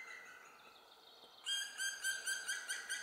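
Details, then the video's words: A last juvenile black woodpecker, thought to be female, left at a nest high in trees while the parents call to urge it out, gives a softer buzzy stretch, then a rapid, harsh chattering series of over two notes a second. "Found nest of Black Woodpecker / Zelf gevonden nest Zwarte Specht"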